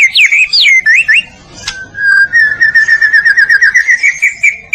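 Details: White-rumped shama (murai batu) of the Medan type, in lively gacor song used as a masteran training recording for other birds: varied whistled phrases and slurs, then a long, rapid run of rising-and-falling notes that steadies into an even pulsing series.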